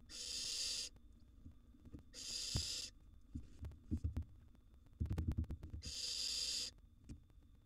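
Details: Wild barn owl siblings squabbling over food in their nest box: three loud rasping hisses about a second and a half apart, with a flurry of clattering and scraping between the second and third.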